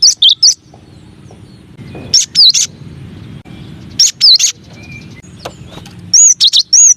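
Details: Cinereous tit (gelatik batu, gelatik wingko) masteran song, one of nine variations: short bursts of sharp, high looping whistled notes, a phrase of two or three about every two seconds, with a low background rumble between phrases.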